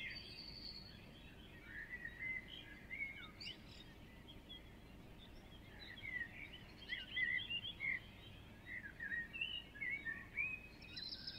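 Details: Birds singing at sunrise, recorded from a window overlooking a garden and street: varied high chirps and short whistled phrases from several birds over a steady hum of street noise.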